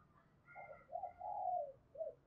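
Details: Spotted dove cooing in the thúc gù manner to call a rival, heard softer with a low background hiss: a few short coos, a longer sliding coo, then a brief final note.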